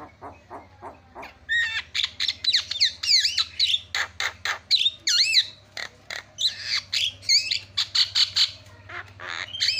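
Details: Starling (jalak) song used as a lure to make silent starlings that refuse to sing start chattering: a run of short clicking notes, then a dense, fast stream of high whistled, warbled and buzzy phrases. A low hum sits underneath.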